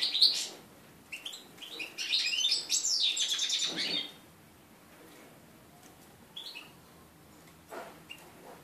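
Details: Red-breasted flycatcher x canary mule, bred 2013, singing its first song after the moult on 11 January 2014; a four-second run of high chirps and rattling trills, followed by a few isolated faint chirps.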